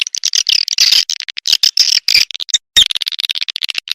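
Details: High, dense twittering chatter of edible-nest swiftlets, a calling sound played to attract the birds to nesting buildings; rapid clicks and buzzy chirps come in bursts with brief pauses.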